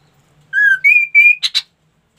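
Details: Ashy tailorbird (kaso kaso) song phrase: three clear whistled notes, each higher than the one before, followed by two quick buzzy chips.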